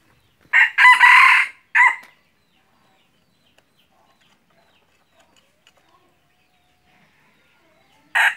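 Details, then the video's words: Decoy red junglefowl used for hunting gives a clear crow: a raspy, rising phrase of about a second and a half ending in a short clipped note, then near silence before another crow starts at the end. "ไก่ต่อไก่ป่า-qaib dib qaib qus"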